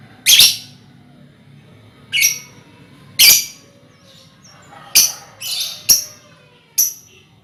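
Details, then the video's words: Lovebirds kept as a colony, recorded as a lure to draw out trilling: sharp, harsh shrieks spaced irregularly, several overlapping in a brief cluster near the middle, over a low steady background hum. "Suara Lovebird untulan koloni cocok buat pancingan ngekek"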